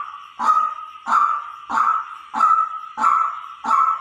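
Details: Decoy calling of a white-breasted waterhen: six loud, hoarse, even-pitched notes with abrupt starts, spaced regularly about two-thirds of a second apart, with each note fading before the next.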